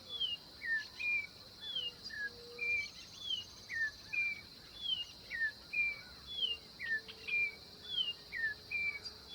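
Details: Orange-backed troupial, a Brazilian bird, singing: a steady series of clear whistled notes sliding downward, alternating high and lower pitches, about three notes every two seconds, over a constant high insect drone.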